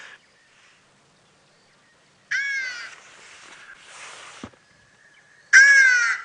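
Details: Hadeda Ibis call played as a recording during a live sunrise safari broadcast: two loud, harsh, drawn-out, slightly falling caws about a second each, separated by rustling. Described as a horrid sound the birds make around 4 AM outside windows, noisy and common across Johannesburg.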